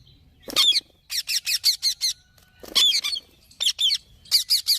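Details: Green parrot uttering loud, raspy squawks, first a single harsh cry, then series of four to five rhythmic shrill notes repeated in several bursts.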